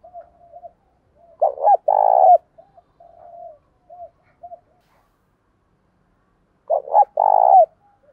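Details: Decoy spotted dove cooing to draw wild doves into answering contest: soft low murmured coos throughout, broken by two loud rolling coo phrases about five seconds apart.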